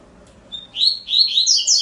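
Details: Double-collared seedeater singing a short phrase: a thin steady whistle, then a run of slurred, bright notes sweeping high, closing on sharp rising whistles.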